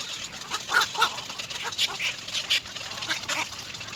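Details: Little egret chicks in the nest, waiting for their mother to return with food, give repeated harsh, rasping calls in quick bursts about every half second.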